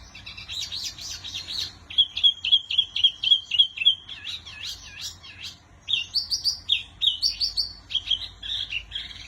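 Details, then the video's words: Lively wambi song: scratchy warbles open into a fast series of identical clear whistles, about four per second, followed by varied twittering phrases and further repeated notes. "Burung Wambi Mini Gacor Kicau Terbaik"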